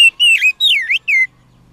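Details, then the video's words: Oriental magpie-robin from the wild: a brief sequence of three sweet whistled phrases, slurring down then up, clear and loud against silence. "Pancingan kacer ampuh langsung Emosi - kacer di alam liar"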